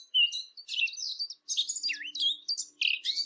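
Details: Eurasian blackcap song, recorded for hunting callers: tumbling warbles with swooping, fluty slides and scratchy bursts, broken by brief pauses, over a faint low hum.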